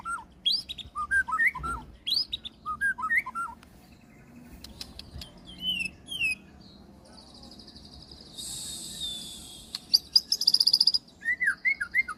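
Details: White-rumped shama singing short whistled phrases, some rising, some falling, in bursts with pauses, and a few high sharp notes; a loud hissing buzz of noise comes in the middle.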